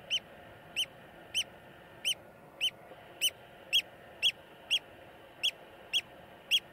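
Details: Eurasian oystercatcher in Iceland gives loud, shrill piping notes, about a dozen sharp 'kleep' calls repeated roughly twice a second over a soft background hiss.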